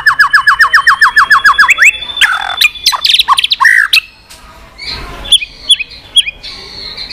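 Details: White-rumped shama singing 'tạch' continuously, a recording meant to spur listless birds: a rapid series of repeated downslurred notes, then varied rich whistles and scattered sharp notes.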